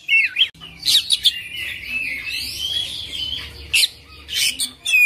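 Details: Oriental magpie-robin singing in the 'full isian' style, a long rolling 'ngerol' song: sweet whistled phrases and squeaky slurred notes, then a long sustained warbling stretch and sharp bursts near the end.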